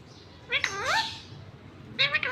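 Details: Pet Indian ringneck (rose-ringed parakeet) talking in Urdu/Hindi in a high, nasal, speech-like voice: one swooping phrase, a pause, then a quick clipped burst of words.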